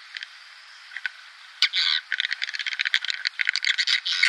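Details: Swiftlet sound from a 2019 lure recording for nest houses: after faint calls in the first second and a half, a fast, clattering run of short, high chirps and clicks builds to the end.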